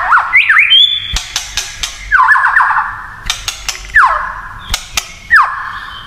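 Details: White-rumped shama giving a provocative kretekan song that agitates rival shamas: swooping whistles and trills, a steady high whistle, then repeated downward-sweeping buzzy phrases separated by hard clicks.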